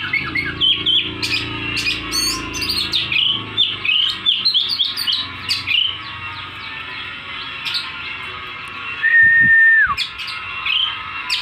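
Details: Oriental magpie-robin in full gacor song, tail spread: a long stream of chirps, trills and sharp notes, interrupted near the end by a steady drawn-out whistled tone, with low background hum.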